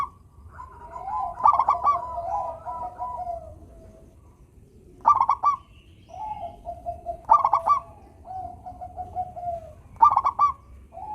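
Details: Zebra dove, a local bird, singing to stir reluctant doves: repeated phrases of a sharp rattling coo followed by a long level humming tail, about every two and a half seconds.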